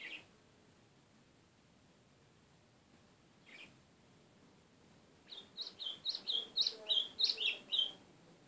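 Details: White-throated seedeater (golinha) with two isolated high notes, then a fast burst of about ten sharp, slurred chirps in rapid succession near the end; quiet background otherwise.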